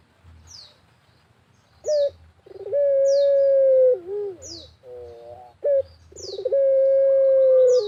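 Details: Barbary dove of the pelung variety cooing in a rural, natural setting; twice a short clipped note and pulsed stutter run into a long steady coo, with wavering low notes between and thin high chirps of other birds.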